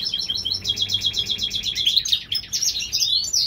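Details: European goldfinch hybrid of Californian breeding, singing in spring. A quick run of evenly spaced high chirps gives way to rising, slurred whistles and twitters.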